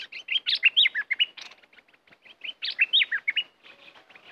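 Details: Aggressive caged red-whiskered bulbul kept as a trapping decoy sings rapid, rich, whistled phrases of rising and falling slurred notes in two dense bursts, followed by softer trailing chirps.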